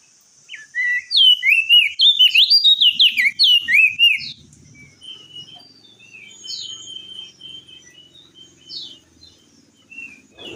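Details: Crested jay shrike song used to lure a silent bird into calling: a loud burst of quick, looping whistled phrases for about three seconds, followed by softer, spaced whistles and faint rattling noise.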